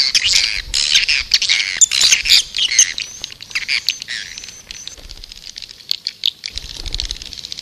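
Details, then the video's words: Swiftlet lure call used to attract birds: dense, chattering high-pitched twitters and squeaks, with thin whistled notes, fading to quieter chirps midway before a brief low rumble returns at the end. "Suara burung walet panggil 7"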